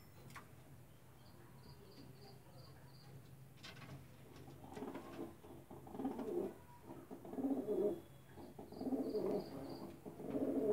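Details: A pair of Lakka (fantail) pigeons, kept indoors, giving low, soft coos that grow louder and come in repeated rolling bursts over the second half, with faint high tones in the background.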